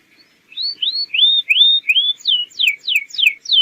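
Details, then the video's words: Canary song used as a lure to get young birds singing quickly: rising whistled slurs repeated about three per second, then a run of steep downward-sweeping notes, clean and without background noise. "PANCINGAN BURUNG KENARI GACOR UNTUK PAUD AGAR CEPAT NYAUT"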